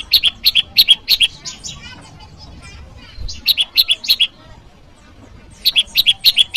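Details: Bar-winged prinia rival call used to lure wild birds: three bursts of rapid, doubled high chirps, each burst lasting about a second, with quieter pauses and faint low rumble between them.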